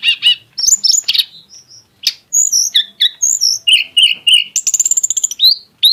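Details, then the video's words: Varied, high-pitched song of a tledekan gunung (mountain flowerpecker), described as exotic in style with lavish bursts: quick chirps, thin sliding whistles, a run of dense rapid ticks and short descending notes, with almost no other sound. "kicau tledekan gunung yg punya gaya exsotis dan tembakan yg mewah"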